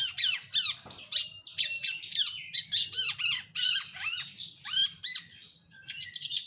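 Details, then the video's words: Long-tailed shrike song in a lure recording for bird keepers: harsh, squawking notes that slide downward, delivered in quick groups of two or three with brief gaps, over a faint low hum. "Pancingan Burung Cendet"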